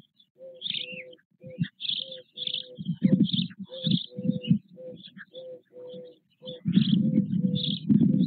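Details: Four nearly equal-sized white stork chicks in their nest with their father at Nové Mlýny, 8 May 2024; low, throaty pulsed calls repeat in quick bursts, with high sparrow-like chirps above throughout.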